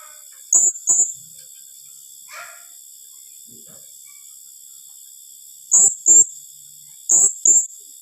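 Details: Blue-crowned hanging parrot giving rapid 'tembakan rapat' shot-like calls: sharp, shrill high notes in close pairs, a pair every second or so with a long pause between, over a steady high electronic whine.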